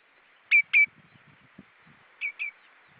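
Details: Common redshank at Hyljes on 20 June 2013, 19:23, gives two loud, clear ringing 'tyu' whistles, a pause, then two more before flying away, with faint low rustling underneath.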